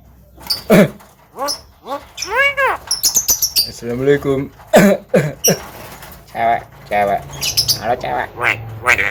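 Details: Common myna kept at home, a talking bird said to mimic coughing, laughing and calling to girls; a rapid run of squeaky arched whistles, clicks and speech-like harmonic phrases with short pauses, fairly loud throughout.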